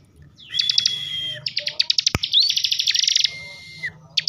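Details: Bar-winged prinia (ciblek) from Tegal, Central Java, in emotional ngebren song: a sustained buzzy trill with a steady whistled tone, then fast ticking pulses and a rising slur, ending in a falling whistle.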